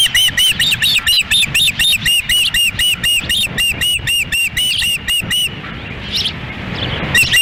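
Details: Osprey family at a nest in Lolo, Montana, on 10 June 2017, the female feeding chicks in wind while the male stands by; rapid run of high, thin chirping whistles repeated about twice per second, then wind noise and a few squeals.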